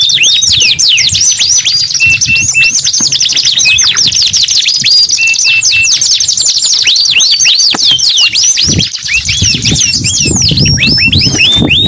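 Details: Canary in sustained song: very dense high trills and whistled slurs, several short flat piping notes repeated in pairs, a brief dip in volume near the end, low rumble faintly present.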